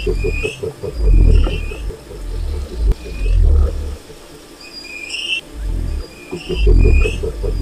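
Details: Low, resonant booms from a wild cassowary come in three or four separate bursts, with a fast pulsing chatter and short high whistles in the background.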